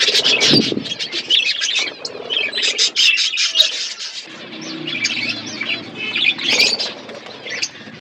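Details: Budgies feeding on food while chirping nonstop, rapid bursts of bright, twittering warble notes from multiple birds that swell and fade, with a brief quieter stretch midway.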